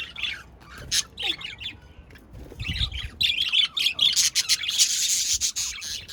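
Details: Budgerigars chatter busily, with fast scratchy chirps and squawks that grow denser and louder in the second half, plus a brief descending squeak early on.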